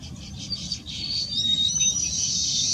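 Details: Baya weaver (Ploceus philippinus philippinus) beginning nest building gives high, buzzy chatter that runs into a long sizzling wheeze, over a low steady rumble.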